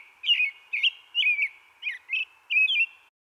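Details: An American Robin in an eastern North American backyard sings its "cheerily, cheer up" song, often heard early morning and before nightfall: six short caroling whistled phrases, each rising and falling, about two per second, with a faint background hum.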